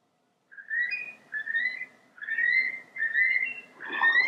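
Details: Marsh sandpiper calling: a series of five clear, slightly rising whistled notes, each about half a second long and spaced under a second apart, over faint low background noise.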